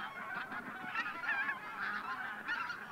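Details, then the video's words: Wild geese in a flock of just over a thousand, bean and white-fronted geese from Siberian breeding grounds, in flight before sunrise over Teichland Linum, Brandenburg. Constant overlapping honking, with louder yelping bursts every second or so. "Wildgänse vor Sonnenaufgang im Teichland Linum (hundreds of wild geese before sunrise)"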